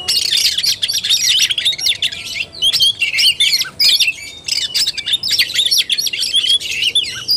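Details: Oriental magpie-robin fighting-style song: dense high chattering and rapid whistled flourishes, continuing with brief pauses throughout.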